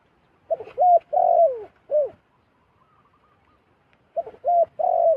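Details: Zebra dove repeating its call: a soft series of rolling coos ending in a falling note, a pause of about two seconds, then the phrase begins again.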